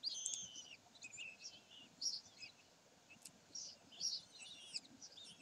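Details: At Sägeweg on 27 May 2020, common kestrels utter repeated shrill, wavering squeals, some drawn out and others clipped, spaced irregularly about every second, with faint ticks between them.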